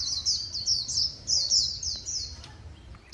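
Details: White-eye performing the líu song style, from Vietnamese bird keepers: a rapid, high, twittering warble of slurred chirps, unbroken for about two seconds, then more broken phrases ending with a sharp note.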